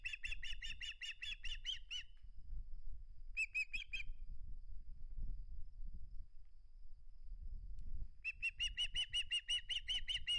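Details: Osprey at the nest guarding its flounder, calling in bursts of rapid, piercing chirps: a two-second run, a short burst, then another long repeated series, with steady low wind or camera rumble between.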